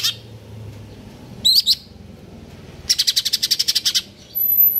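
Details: Caged Greater green leafbird singing in stable condition: sharp whistled notes, then a rapid buzzy series of about a dozen pulsed notes, ending in a high thin tone.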